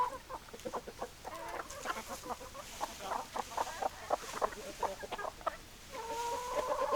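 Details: Flock of hens clucking alongside roosters: a busy mix of short overlapping clucks, then a sustained harmonic crow-like call rising near the end, over steady background noise.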